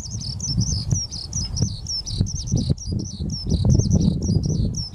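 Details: Eurasian skylark parent and chick recorded 10 May 2024 at Ogura, Japan: thin, high chirps repeated several times a second throughout, sliding and buzzy, over heavy low rumbling wind or handling noise.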